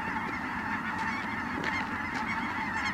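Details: Flying in at Merced National Wildlife Refuge on 22 December 2017, Ross's geese keep up an unbroken din of thin, cackling calls, with a few short clicks rising above the chorus.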